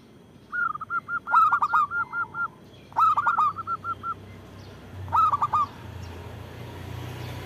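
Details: Local zebra dove with a strong voice, used as a lure and to provoke other doves into calling. It gives quick strings of clipped, even coos with sharp accented bursts, three phrases in all, while a low rumble rises toward the end.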